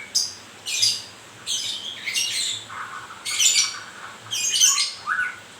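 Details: Moulting white-rumped shama, described as murai grewek, gives four harsh squawking bursts roughly a second apart, some ending in low slurred whistles.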